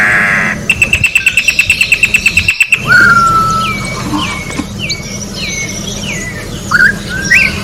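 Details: Orange-backed troupial in nature, singing clear whistled notes that rise or fall in short slurred phrases, after a rapid rhythmic series of sharp high clicks, with steady low background hum and broadband noise.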